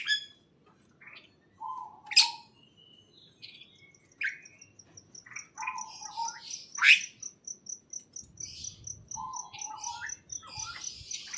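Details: Inside a greenhouse, birds give repeated low whistled phrases and sharp bright chirps, joined in the second half by a quick steady series of high ticking notes.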